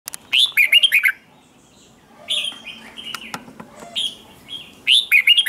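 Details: Red-whiskered bulbul singing in the morning, used to train and stir other bulbuls into singing contests; short bursts of bright warbled whistled phrases, a pause, then quieter notes and another lively phrase.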